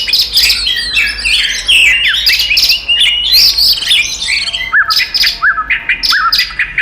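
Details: Oriental magpie-robin in full fighting song meant to provoke rival magpie-robins: dense, rapid chattering and whistled notes, then a series of short downslurred whistles about every half second.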